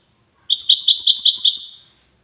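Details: European goldfinch from Safi, Morocco, known as the widani type, giving a quick, evenly spaced series of bright metallic chirps that trail off after about a second and a half.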